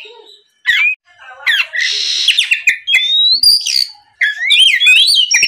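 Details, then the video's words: Oriental magpie-robin singing on a lure track intended to prompt other magpie-robins to sing; scratchy rasping notes mixed with long rising whistles and quick twittering phrases. "MEMANCING KACER BAHAN AGAR MAU BUNYI LANGSUNG NYAUT, SUARA PIKAT BURUNG KACER GACOR NGEPLONG"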